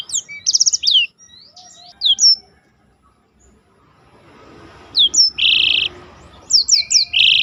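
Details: Contest-training recording of a black-throated canary singing in a rolling style: rapid high chirp series and descending whistles, a quiet gap, then bursts of steady buzzy trills alternating with quick chirps.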